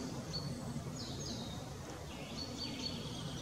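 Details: A willow warbler singing at Hindekamp on 4 May 2017: faint, sweet whistled notes that slide downward in a soft cadence, over steady low rumbling background noise.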